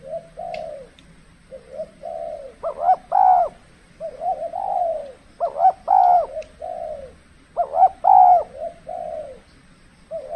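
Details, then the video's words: Spotted dove cooing during cold-season decoy trapping; phrases of low rolling coos, a pair of sharper notes then a longer falling coo, repeated every two to three seconds over faint background hum. "burung tekukur kalau musim dingin kurang bernyali termasuk pikat pun kurang agresif"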